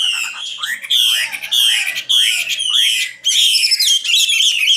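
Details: Common nightingale song from 2016: loud, repeated phrases of high buzzy notes falling into lower curved whistles, broken by short silences about once a second.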